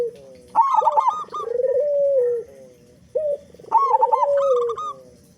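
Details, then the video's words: Actively singing local zebra dove with a big voice, a lure to get other doves singing fast; a quick rolling trill leads into a long, warbling, drawn-out coo, then a pause and another phrase. "Perkutut Lokal Gacor Suara Besar Pancingan Burung Perkutut Agar Cepat Bunyi"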